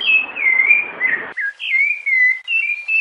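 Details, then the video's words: Rufous-bellied Thrush sings clear, mellow whistled phrases, each slurring down then holding steady, strung together almost without pause, with a few shorter notes between, including a female's calls. "SABIÁ LARANJEIRA CANTO PIEDADE SENHOR COM PIADOS DE FÊMEA"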